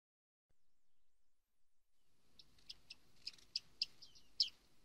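Bearded reedlings give a quick run of short, high, metallic pings, about eight in two seconds, after a quiet start.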